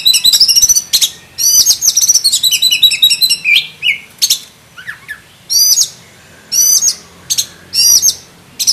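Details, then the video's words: Black-breasted oriental magpie-robin (kacer dada hitam) in full varied song, rapid bursts of sharp chirps, whistles and rattling trills packed close together, with brief pauses between phrases. "KACER DADA HITAM ISIAN FULL ISTIMEWA"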